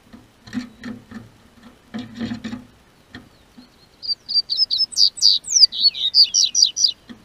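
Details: Double-collared seedeater in southern Brazil as spring warms, in a breeder's care: low tapping and knocking sounds first, then a fast series of high, sharp, down-slurred whistled notes building to a rolling phrase.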